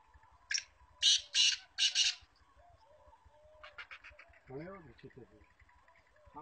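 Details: Trained female black francolin gives a short series of harsh, scratchy rasping bursts close together. Quieter chattering follows, along with a brief wavering voice-like sound and soft clicks.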